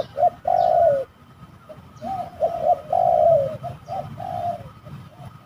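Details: Spotted doves fighting during trapping at a somewhat haunted location; long, rough, slightly descending coos alternating with short notes in loose phrases, over a quiet low hum.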